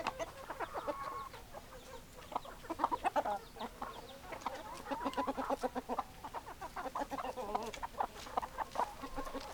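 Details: A chicken flock clucking continuously, many short rapid clucks and chatter from several hens overlapping throughout, with no clear crow.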